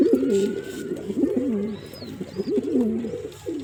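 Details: Soft, throaty coos from a male pigeon, rolling and wavering in a low register, repeated almost without break, with an occasional thin high whistle above.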